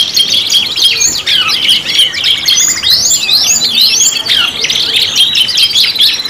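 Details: Rolling canary warble for a pancingan lure track, 5 in 1: high twittering mixed with arching whistled notes that rise and fall every half second or so, steady and unbroken.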